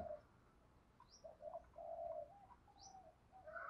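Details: Spotted dove cooing in the Thổ-style voice with driving gù notes, used to stir wild-caught captive doves that have long stopped singing; low, soft mellow coos run in a short series, with faint high chirps from other birds.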